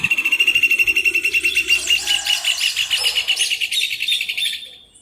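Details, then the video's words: Rufous hornero song: an immediate burst of fast, ringing repeated notes that grows denser and more jumbled as overlapping voices join in, then fades out after about four and a half seconds. Quiet background. "João de Barro Cantando"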